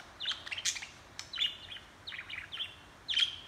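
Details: A budgie chatters in short clusters of thin, high twittering notes, pausing briefly between groups, with a louder burst of chirps at the close.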